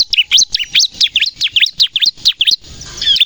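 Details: Bar-winged prinia in energetic song for luring and training captive birds: quick, sharp, V-shaped chirps about two and a half per second, ending in a brief quieter pause.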